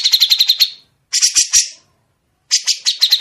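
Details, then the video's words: Grey-cheeked bulbul giving clear, sharp 'besetan' song for training other songbirds. Three short bursts of quick, rasping repeated notes are split by gaps of under a second, against a quiet background. "Masteran suara burung CUCAK JENGGOT dengan besetan panjang"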